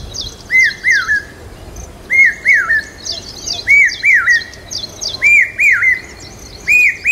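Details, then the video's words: Loud common hawk-cuckoo calling in the monsoon near Aurangabad, a call said to signal rain: five steady pairs of arched, down-slurred whistles about every 1.5 seconds, over constant high rapid chirping from another bird. "पपीहे की मधुर आवाज Common Hawk Cuckoo Calling Loud During Mansoon पावशा पक्षी Signaling Rain"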